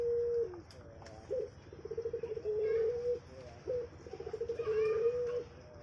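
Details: Captive dove, locally called puter, on a bird farm, cooing: a level low note followed by a longer pulsed, throaty coo phrase, the pattern repeated twice with faint background noise.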